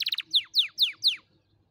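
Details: Canary song used for teaching young canaries: a quick burst of four clipped high notes followed by four clear descending whistled slurs, evenly spaced, then silence.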